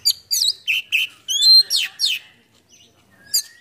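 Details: Oriental magpie-robin singing a full, varied repertoire while spreading its tail in a cobra-like display. Loud, clear whistled notes and sweeping downslurs come in quick bursts, then a brief pause and one last high note.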